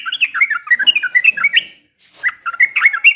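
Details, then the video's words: Trucukan (yellow-vented bulbul) in lively song copying white-rumped shama: a dense, fast babble of rich whistled and warbled notes, a brief break, then further sweet rising phrases. "KICAUAN TRUCUKAN GACOR BER SUARA MURAI BATU PASTOL"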